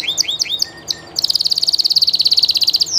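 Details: Spanish llarguet canary singing live, starting with looping slurred whistles and two low notes, then a long fast metallic trill of evenly repeated notes.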